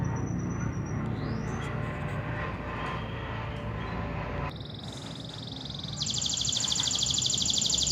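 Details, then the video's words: Local canary song: a short high whistle and a rising note first, then rapid buzzy trills in the second half, one lower and one very high and sustained, over a low rumbling background noise. "Kenari Lokal Super -Local Super Canary"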